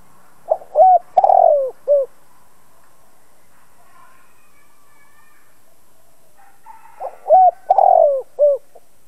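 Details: Spotted dove kept as a decoy to trigger calling in other doves. Two low cooing phrases, each short hoots leading to a longer throaty coo and a clipped final note, separated by a quiet gap.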